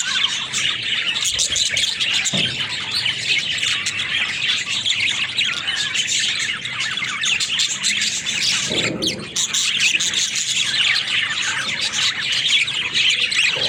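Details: Busy warbled chattering from pet budgies, with a constant stream of squeaks, clicks and chirps and a brief low thump partway through.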